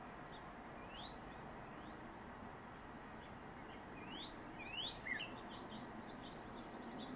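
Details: Northern mockingbird near its nest, southwest Virginia, 7 March 2021: several bright upslurred whistles, some in quick pairs, then a lower downward note, over steady low-pitched background noise.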